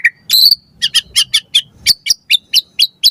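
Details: White-rumped shama lure recording for tutoring captive birds, here a series of high, sharp chip notes repeated about four times a second after a brief whistle.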